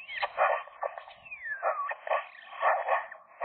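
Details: Eurasian magpies, a young couple, flirting and singing inside the nest in winter, January; soft rasping chatter interrupted by a clear whistled note sliding downward, followed by more throaty, uneven notes.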